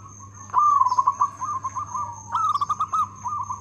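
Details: Local zebra dove singing actively with a loud voice: rapid pulsed cooing notes in a rolling trill, one phrase after half a second and a second, louder phrase near the end, over a steady high electronic whine and low hum.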